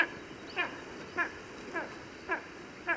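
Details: Spanish Imperial Eagle calls played back, a guest recalling eagles building their nests: short harsh barking notes with stacked overtones, repeated about every 0.6 seconds, five in a row, fairly quiet against a faint steady background hum.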